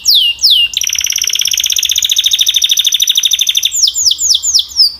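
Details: Canary singing two falling whistled notes, a long rapid trill of about three seconds, then several sweeping whistles.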